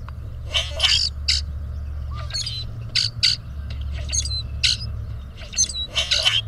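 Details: Grackle males puffing up to out-impress a female, recorded with a Birdsy camera; a series of harsh, wheezy, squeaky notes repeats roughly every half second to one second, over a constant low hum.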